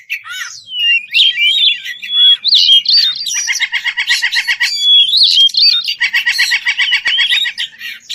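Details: Kacer, the white-rumped shama, singing loudly to call a rival: varied whistled phrases interrupted by rapid buzzy stuttering trills, about four notes a second, delivered in two long bursts.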